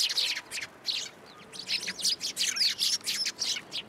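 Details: A flock of sparrows arriving to be fed at a Tenmangu shrine on 10 January 2023, giving rapid high chirps and twittering notes in dense overlapping clusters, with brief pauses between bursts.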